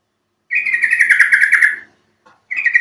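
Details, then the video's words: Yellow-vented bulbul (trucuk), a recording played to get other trucuk birds singing: a bright, bubbly chatter of quick warbled notes runs over a second, a short pause, then a second burst begins. "Panggilan burung trucuk"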